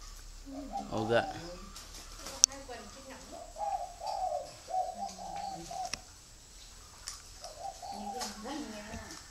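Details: Caged spotted dove with grey legs and red eyes, kept near Ba Vì, Hanoi, Vietnam, singing in the prized 'thổ' voice style: deep, hollow cooing phrases of several notes, repeated in bursts, with a man's voice briefly heard early on.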